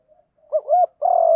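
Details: Single spotted dove phrase in 'gù đấu' fighting-coo style, used as a lure for wild doves: a soft lead-in, a quick dipping note, then a sustained, slightly wavering low coo.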